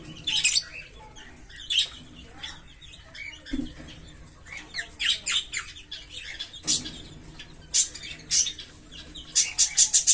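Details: Green Fischer's lovebird pair, kept birds, singing: scattered shrill chirps and buzzy twitters in short bursts, ending in a quick series of sharp clicking notes.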